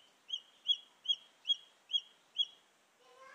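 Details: Junglefowl chick call recorded to attract wild junglefowl hens: six high, arched peeps at an even pace, about two per second, followed by a brief burst of rising noise at the end.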